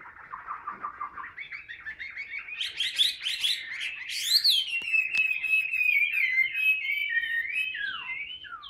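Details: Chinese hwamei, a caged bird singing while hand-held in fighting display. Opens with soft rapid low notes that climb into loud varied phrases, then a long sliding whistle that wavers and drifts downward, ending in short downslurred notes.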